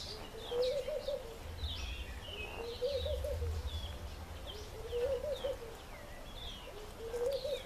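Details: African green pigeons, about eight shy birds hopping in a nectarine tree in search of fruit; low warbling whistled phrases recur roughly every two seconds, four in all, over high chirps from other small birds.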